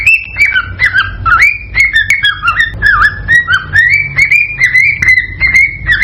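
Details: Excited singing of a male cockatiel to encourage mating, a varied run of clear whistles that dip and rise, some slurred downward, delivered quickly over a low background hum.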